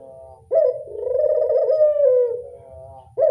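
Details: Collared dove, described as one that readily answers; one long purring coo lasting about two seconds, steady then softly falling, the start of another at the end, soft low background rumble.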